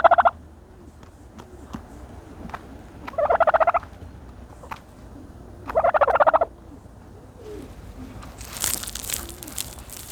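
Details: A turkey bathing in dirt gives three short rattling bursts of fast pulses spaced about three seconds apart, with quieter rustling in between and a brief hiss near the end.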